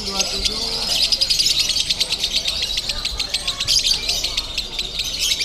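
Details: Lovebird singing at a singing contest in Bandung, the 'konslet' style: dense high chattering trills with rapid buzzy pulses, continuous over several seconds, amid a chorus of other birds and faint crowd murmur.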